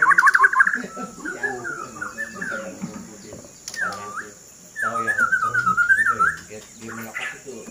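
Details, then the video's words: A fighter white-rumped shama sings fast fluttering trills, then clear, slurred whistles rising and falling in pitch, while a person speaks underneath. "Murai Batu King Fighter"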